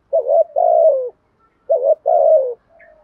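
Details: Spotted dove decoy, its cooing called good and methodical, used to prompt trainee doves to coo; two back-to-back phrases, a short wavering note then a long descending coo, followed by a faint trailing note.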